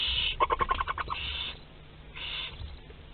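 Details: Barn owl nest box at Théding, France, in late April 2021 with prey loose: a hiss, then a quick clicking rattle, then two further fading hisses.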